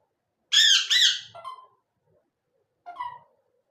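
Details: Parrot gives two loud, harsh, bright squawks in quick succession, followed by softer falling notes and one more brief call after a pause.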